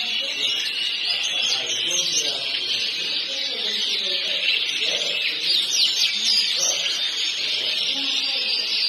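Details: Belgian canary: canaries, labelled Yorkshire but also noted as Waterslager or Malinois, from Alexandroupoli in 2016, give a dense, high, continuous warbling song of rapid trills and rising whistles, with several birds singing at once.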